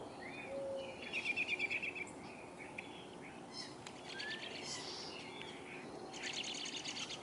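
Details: Woodpeckers in a backyard willow tree, busy hunting insects, give short harsh pulsed churring bursts, one near the start and more later, amid thin whistles and chirps of other birds and steady background noise.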